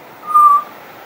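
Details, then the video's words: A friendly pied butcherbird in a long, unbroken singing bout that includes mimicry; here a single pure, flute-like whistled note, steady in pitch and about a third of a second long, over a quiet background. "Pied Butcherbird wouldn't shut up"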